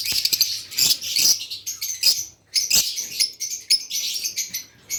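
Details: Lovebirds keep up a busy stream of high, sharp chirps and squeaky twitters, several calling at once, with brief louder bursts and a faint low hum behind.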